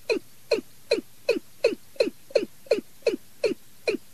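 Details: Decoy watercock recorded for luring birds at night: quick, regular run of short, deep notes that drop in pitch, nearly three per second, over a quiet background.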